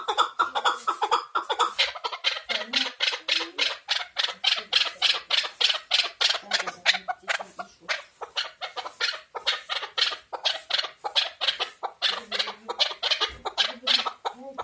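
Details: Chukar partridge calling in a fast, uneven run of harsh, clucking chuk notes, roughly three per second, bright and broadband, with a few low hums underneath.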